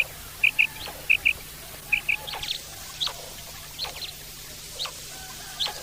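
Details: Common quail calling in the wild: crisp paired whistled notes repeated about every second, followed by fainter, thinner chirps against a soft, steady background hiss.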